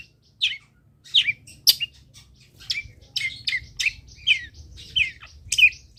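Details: A long-tailed shrike gives quieter song phrases for training other birds to sing. Scattered high, slurred chirps and twittering notes come in irregular bursts after a brief silence.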